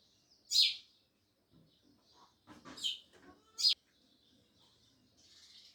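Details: Sparrows chirp loudly, giving a few piercing high notes separated by gaps, with faint rustling and low clutter between calls.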